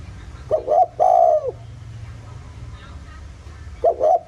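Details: Countryside spotted dove in the 'giọng thổ' voice, played to provoke other doves: a clipped double coo with a long falling coo, a pause with faint background murmur, then the phrase beginning again.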